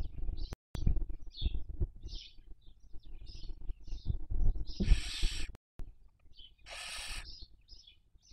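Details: Barn owl at a webcam nest in Cabañeros National Park, Toledo/Ciudad Real, Castilla-La Mancha, Spain, 2023 breeding season, raising young: faint repeated high chirps over low rumbling noise, with two harsh hissing screeches near the end.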